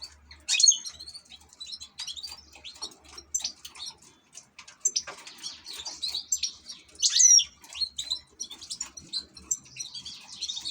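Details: Goldfinch kept for ornament, singing a continuous fast twittering stream of tinkling, buzzy and slurred notes, with two louder bursts that each carry a bright whistle, over a faint low hum.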